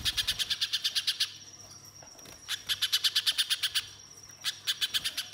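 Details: {'caption': 'Spiderhunter singing as a lure to set other birds singing: bursts of fast, sharp, high chips, about six a second, broken by a short pause, while a thin steady high tone runs behind.'}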